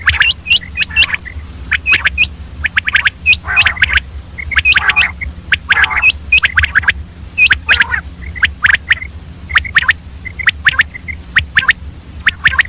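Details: Female common quail in the early morning, giving a long busy series of sharp chips mixed with hoarse rasping bursts. The chips come several per second over a low hum.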